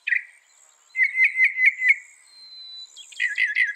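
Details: Northern mockingbird, known for copying other birds' songs, singing a single note, then a quick series of five bright chirps, a pause, and a burst of buzzy chattering notes.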